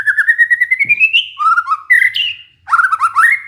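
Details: White-rumped shama lure song aimed at a stressed caged bird that went quiet: a rising string of quick repeated notes flowing into varied whistled and warbled phrases.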